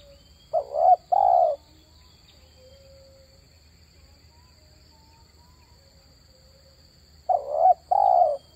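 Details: Spotted dove lure call: two short bursts far apart, each a pair of rough, buzzy falling coos preceded by a brief stutter, quiet hum between.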